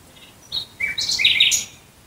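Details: Nightingale singing at night near Dresden, Germany: quiet soft whistles leading into loud, rich chirping notes that sweep and jump in pitch within about a second.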